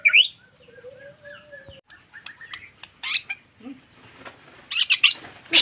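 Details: White-rumped shama singing vigorously, with scattered sharp whistles and harsh, buzzy notes broken by gaps, plus a low steady tone and a few loud high chirps toward the end.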